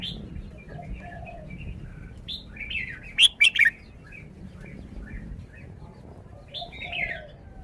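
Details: Red-whiskered bulbul song: soft warbling notes, a sudden loud triple burst of sharp whistles midway, then a louder slurred phrase near the end, over a faint background hum.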